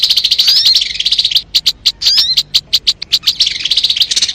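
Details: High-pitched sogon song from a lure MP3: warbled phrases with quick upward whistles, alternating with spaced loud chips about five per second.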